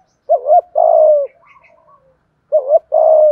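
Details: Cooing song of a spotted dove in the 'giọng thổ' style with 'thúc gù' phrasing. Two phrases, each a quick wavering coo-coo then a drawn-out level coo, with faint soft notes between them.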